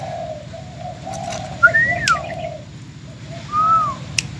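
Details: Aging spotted dove, a decoy bird from Bến Tre filmed before going to a new owner, utters a few low rounded coos, with clear whistled slurred notes from another bird laid over them.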